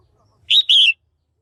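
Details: Female red-whiskered bulbul calling to stimulate males or for pairing: one clean, loud two-note chirp, a short rising note then a longer whistle sliding down, in a quiet background.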